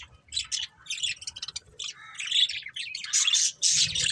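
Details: Budgerigar chirping with squawky, scratchy warbles and short squeaks that build into louder, harsher chatter toward the end.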